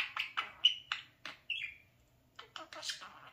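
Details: A male talking parakeet playing in front of a mirror chatters in quick, scratchy bursts mixed with a few clear whistled notes, about four sounds a second, with brief pauses between phrases.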